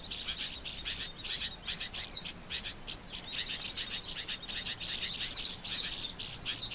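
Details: Trapping lure of Oriental white-eye, high twittering trills broken by three loud downward-sliding whistles spaced roughly every one and a half seconds.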